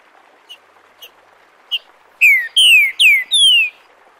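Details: Green-winged saltator in the "Bom dia seu Chico liso" song dialect, recorded live as a model for young birds: three faint spaced introductory notes, then four loud clear downslurred whistles, the final one longest.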